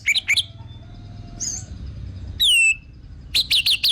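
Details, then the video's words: Orange-headed thrush, kept as a lure to make other birds sing, giving varied high whistled notes: quick slurred chirps, a rising whistle near mid-clip, then a rapid burst of sharp buzzy notes at the end. "BAGUS UNTUK PANCINGAN BURUNG ANIS MERAH BIAR TELER DAN GACOR"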